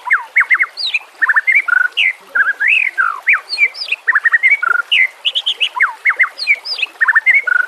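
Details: White-rumped shama song used for training captive birds: a rapid, continuous stream of loud varied whistles, slurred upward and downward notes and repeated phrases with no pauses.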